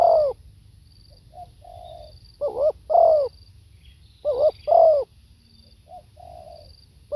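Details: Live spotted dove repeating its phrase: loud doubled coos with a downward sweep, each set preceded by softer lead-in notes, about every two seconds; faint high whistles behind.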